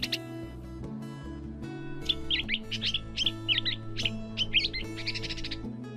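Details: Catbird giving varied imitations of other species: a lively burst of jumbled chirps and squeaky notes ending in a fast buzzy trill, over steady music.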